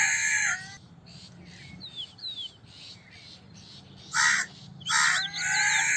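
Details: Crow cawing: a loud harsh caw opens, then after a quieter stretch of soft notes and faint chirps come three more grating caws close together.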